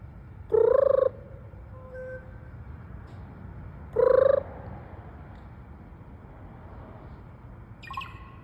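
A raven gives two strange, hollow, tonal calls about three and a half seconds apart, each half a second long, over a low rumbling background with a faint squeak near the end.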